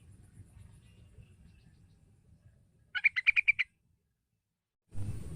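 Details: Yellow-vented bulbul calling to draw a young bird into song: a brief, quick string of about seven clear chattering notes after low background rumble, followed by a sudden burst of hiss.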